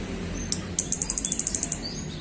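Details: Afternoon song from a male orange-headed thrush: a very high, rapid series of about a dozen sharp ticking notes, evenly spaced, following a single opening note, with low background rumble.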